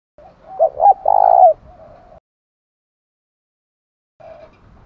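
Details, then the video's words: Spotted dove 'thúc gù' cooing meant to stimulate wild birds and decoys; one phrase of two short coos and a longer held note, trailing into a soft murmur, with a faint coo after a pause. "cu gáy thúc gù kích thích chim bổi và mồi rất nhạy gáy"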